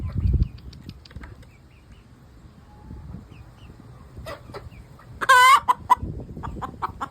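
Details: Easter Egger hen calling just after laying an egg: mostly quiet, then a few sharp clicks, one loud harsh squawk with rich harmonics, and a short burst of rapid clucking pulses at the end.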